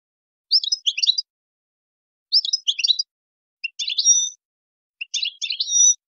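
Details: Wild European goldfinch singing in the wild song style (local name shun khalawi), four high twittering phrases roughly two seconds apart, each a quick jumble of tinkling notes with buzzy trills and a thin rising whistle at the end; background otherwise quiet.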